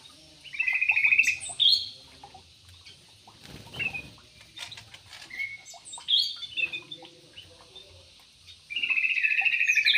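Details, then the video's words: Aviary-kept yellow-vented bulbul sings several buzzy, warbling phrases with gaps between them, ending in a long trilling run. A brief scraping rustle is heard partway through, along with scattered soft chirps. "BURUNG TRUCUK"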